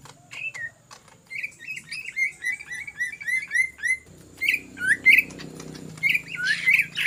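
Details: Greater green leafbird singing in ngetrok style as a lure: quick series of bright downslurred whistles, then louder sweeping notes and chatter, with a low rumbling background noise in the middle.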